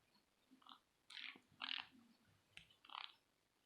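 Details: Pet green-cheeked conure family, a normal-coloured father, yellow-sided mother and three chicks, making weird noises: soft, scratchy squawks in short bursts, with a louder harsh pair near the middle and a last raspy note after a short pause.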